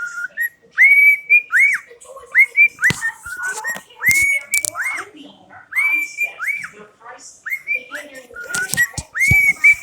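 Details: Cockatiel kept as a pet, whistling September: pure, bright whistles, each swooping upward then holding steady, strung into a repeated melodic phrase with faint clicks between the notes.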